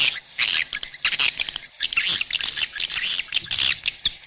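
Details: Swiftlet sound for drawing the birds to nesting houses: busy high chirps and clicks tumbling over one another in an unbroken twittering stream.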